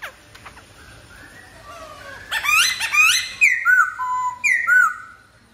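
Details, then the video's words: Black-throated laughingthrush pouring out a varied song of clear whistles, rising slides and ringing falling notes, growing louder midway, over faint background hiss. "Khướu bạc má hót hay...!"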